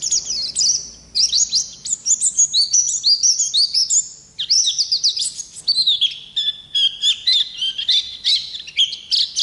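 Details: Oriental white-eye of the wild type in energetic, rolling song. High, fast, twisting whistles and chirps run together, with a brief dip near the fourth second, then sharper clipped notes. Faint low hum in the background.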